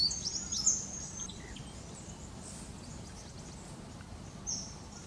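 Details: Eastern spinebills in the Australian bush, surrounded by other birds; a short burst of thin, very high piping notes at the start, another brief high note near the end, over a steady low rumble of background noise.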